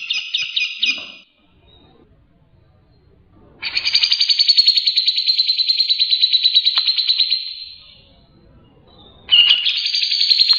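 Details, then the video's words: Lively song of a grey-cheeked bulbul: short bursts of rapid chattering, then a sustained buzzy trill of fast even pulses lasting about four seconds, ending with another abrupt rattling burst. "Suara Burung cucak jenggot gacor"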